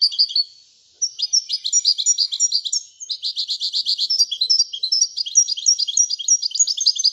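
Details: Royal European goldfinch in sustained lively song, dense high tinkling twitters and rapid trills running almost without pause.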